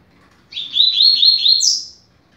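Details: Double-collared seedeater, song for teaching young birds in the 'rápido de bico' style: one continuous phrase of warbled, slightly wavering notes that lifts at the end into a higher buzzy trill.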